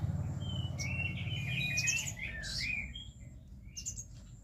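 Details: Oriental magpie-robin singing in the trotol style: a quick run of clear whistled notes that slide up and down, broken by sharp high chirps, then quieter scattered notes, all over a steady low rumbling hum.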